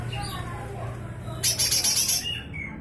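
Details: Rough 'besetan kasar' song of a lesser green leafbird (cucak hijau mini), offered for teaching magpie-robins and shamas: soft background noise, then a short loud burst of fast scratchy repeated notes followed by a thin whistle.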